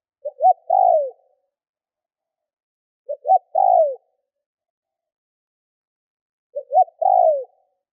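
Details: Lure spotted dove cooing insistently to provoke wild doves: three evenly paced phrases about every three seconds, each two or three short notes followed by a long downward-sliding coo; otherwise quiet.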